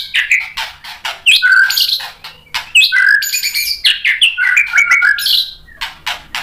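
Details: White-rumped shama singing to provoke rival shamas into song; energetic varied phrases mixing whistled slurs, harsh chattering bursts and sharp clicks, delivered in quick succession.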